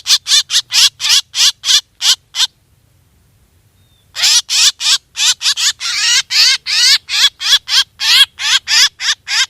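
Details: Hunting-lure recording of a black drongo: rapid rasping notes with a wavy tone, a quiet pause of about two seconds, then a denser run of the same harsh calls.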